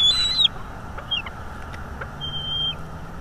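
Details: Two large bald eagle eaglets still at home on their northeast Florida nest, May 2022, heard through a sensitive live-feed microphone: a drawn-out high whistled note opens, a short chirp follows, then a second level whistle over steady background hiss.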